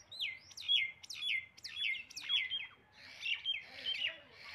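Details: Common myna, known locally as shalik, an Indian bird, repeating clear descending whistled notes about twice a second, each sliding down then leveling, followed by harsher chattering squawks toward the end.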